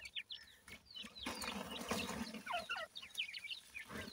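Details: Baby francolin chicks chirp in short, high, slurred notes, interrupted midway by loud shuffling or rustling before the peeping returns.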